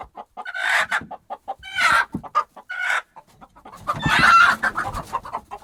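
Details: Hens flustered by a disturbance in a henhouse give loud, harsh drawn-out squawks between quicker clucks, with scratching and shuffling underneath.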